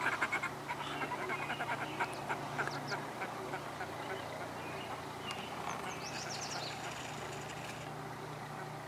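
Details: Red-necked grebes on Spirit Lake, Idaho, in May, returning each year. Several harsh, braying, nasal calls come in rapid uneven bursts over a steady low engine-like hum, with a few high squeaky notes mid-clip.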